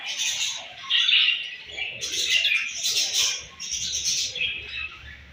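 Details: Flock of budgerigars at morning feeding, chirping in rough waves of scratchy warbles and squeaky tweets, louder in the first half and easing slightly later.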